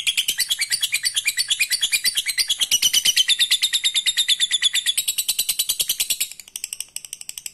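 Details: Lovebird giving a long ngekek trill, used to provoke rival birds into trilling back: a rapid, very high chattering run of even notes, about three per second, held for over six seconds before breaking into a few scattered chips.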